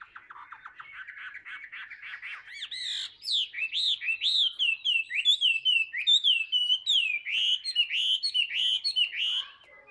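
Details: A tame Chinese hwamei, known for singing a lot, begins with fast rattling notes before breaking into strong, looping, melodious whistles repeated in a lively rhythm.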